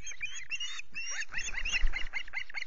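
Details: At a Loch Garten nest in Scotland with chicks on 5 July, an osprey gives a brief flurry of high, squealing chirps that quicken and cluster, with a soft thump beneath.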